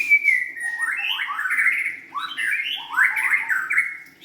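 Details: Continuous white-rumped shama song, a dense stream of rich, warbled whistles sliding up and down with barely a break.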